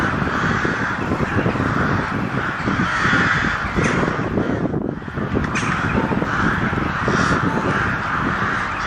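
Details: A flock of crows cawing loudly, rough overlapping calls with a short lull near the middle, then continuous raucous noise again.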